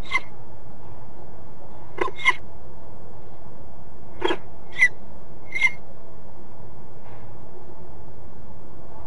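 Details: Peregrine falcon at De Mortel, Netherlands: a few short, harsh, clipped notes at irregular intervals over nine seconds, some in quick pairs, above a steady low rumble of background noise.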